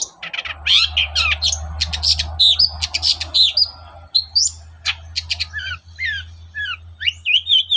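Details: Long-tailed shrike singing vigorously in the morning, a lure recording for other shrikes: a rapid, varied jumble of sharp chirps, rising and falling whistles and buzzy notes, with a steady low hum beneath.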